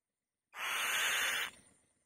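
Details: One drawn-out, hoarse, hissing screech about a second long, given loudly by a female white-tailed kite sitting on the nest, followed by a soft fading tail.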